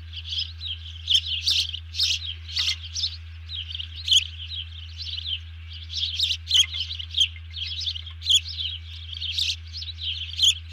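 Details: Bald eagle sounding an alert after grabbing a fish, with a second eagle ducking, 31 July 2020 at 04:42; long sequence of piercing, chattering chirps in quick clusters, each burst under a second, over a low background hum.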